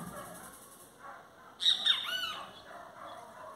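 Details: Great kiskadee in song delivers one loud, nasal, harmonic-rich phrase of two sharp notes and a longer downslurred ending, with faint murmuring background sound before and after.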